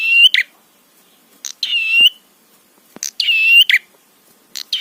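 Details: Prinia lure song meant to stir rival prinias to call. Strong nasal buzzing bursts with a bright rising tail and a short sharp click after each one, about every 1.5 seconds. A few faint ticks are also heard.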